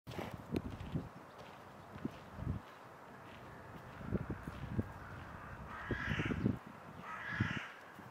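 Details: Hooded crow (Corvus cornix) in Tivoli landscape park, Ljubljana, on 16 January 2024, giving two harsh, rasping caws about a second apart over low rumbling thumps and background noise.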